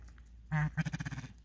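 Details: Aggressive, fearless male blue grouse defending his territory on the Skookumchuck Trail. It gives a short, low, hollow note followed by a rapid run of about eight low clucking pulses that fade out, with a man talking to it before and after.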